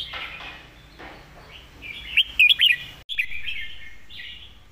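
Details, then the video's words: Red-whiskered bulbul, a caged bird singing its master song with good phrasing: soft warbling builds into a crisp series of three or four looping whistles, then continued quieter chattering notes. "จัดเต็ม"สำนวนดี ร้องชัดคำ เพลงแม่บท"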